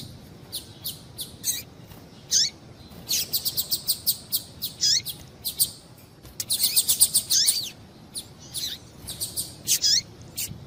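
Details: Many bright high chirps from a female double-collared seedeater, a call used to get males singing: rapid irregular runs of short notes with down-slurred ones mixed in, a dense burst at the middle, light hiss behind.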